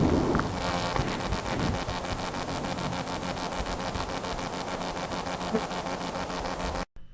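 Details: A male Calliope Hummingbird, gorget spread, hovers in front of a female in a courtship shuttle display; his pulsed wingbeats make a rapid buzz, three or four bursts a second with brief gaps, over steady hiss.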